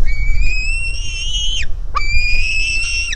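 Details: Begging White-tailed Eagle nestling: two long, strained whistled cries, the first slowly rising then falling off sharply, the second starting with an upward swoop and holding high, over low background noise.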